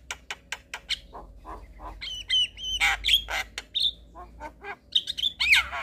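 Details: Black-winged starling song, played in the evening to train young starlings to sing: harsh broadband squawks and rasping notes mixed with clear whistles, some with a ringing tone, in an irregular varied series, with a low hum beneath.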